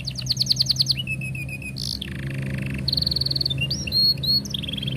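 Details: Canary song used to train young canaries to sing: long continuous chattering song of rapid repeated notes, buzzy trills, whistled slurs and high rolling phrases, with a low steady hum underneath.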